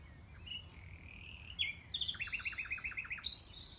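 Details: Male Common Nightingale singing late at night (around 11 pm) in May 2018 from dense thicket at Knepp rewilding project, former farmland in West Sussex: varied whistles and sharp notes ending in a fast run of about eight rich repeated chooks, quiet rural background.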